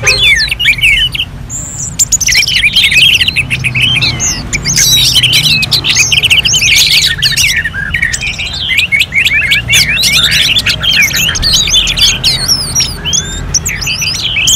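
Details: {'caption': 'Sustained orange-headed thrush singing in a contest-like simulation from North Bali: dense, energetic chatter of sharp whistles and slurred notes, hardly pausing over many seconds, faint low hum beneath.'}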